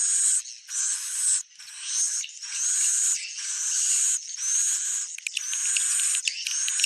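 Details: Swiftlet, described as genuine: buzzy shrill phrases in uneven bursts, with thin whistles and a quick crackling click series near the end.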